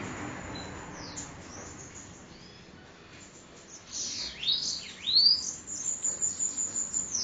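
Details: Sibite, the bananaquit, from Parnamirim, Rio Grande do Norte: after a quiet start, sharp high V-shaped sweeps break out, followed by a rapid run of short, evenly spaced high pulses.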